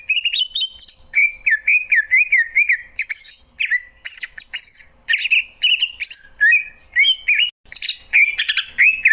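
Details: Continuous rich song from a greater green leafbird: wavering whistled notes alternating with harsh high chatters and rapid note strings, phrases following each other with only brief gaps.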